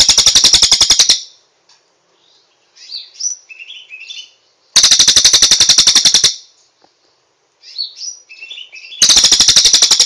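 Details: Cililin, song for training cage birds in morning or evening: loud machine-like rapid trills of one to one and a half seconds, repeated about every four seconds, with soft twittering, whistled phrases between them.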